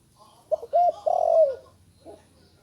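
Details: A recently fledged-voice spotted dove coos: two brief notes, then a long, buzzy-edged coo sinking in pitch, and a soft short note about half a second later, over a low background hum.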